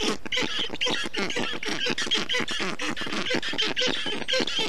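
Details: Black stork nestlings in Estonia calling during a hot day as a parent cools the nest, June 2021; dense, overlapping raspy calls with little pause, a continuous chattering sound.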